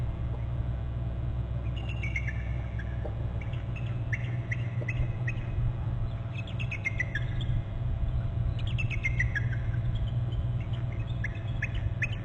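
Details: Bald eagle at its nest territory on Hornby Island, flying low past and trilling: series of thin, descending, stuttered notes in bursts, heard over a steady loud low rumble of background noise.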